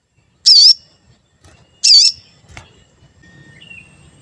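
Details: Lure calls of a sooty-headed bulbul, meant to provoke other bulbuls into singing: two loud, high, wavering chirps about a second and a half apart, then a soft click and quiet background murmur.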